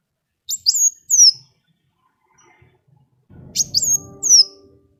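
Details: Sunbird singing, a recording meant to get other birds singing: two bursts of sharp, high, downslurred whistles about three seconds apart, the second over a low rumbling background noise.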